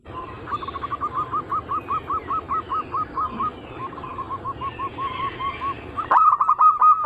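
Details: Zebra dove anggungan cooing from a lure recording: a fast run of short, even coos repeated about two to three per second, followed by a louder burst of stuttering notes near the end.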